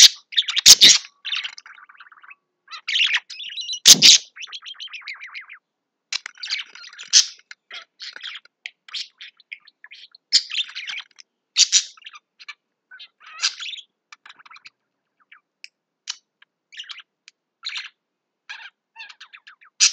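Budgerigars chatter with rapid, scratchy warbles and high chirps in an irregular stream.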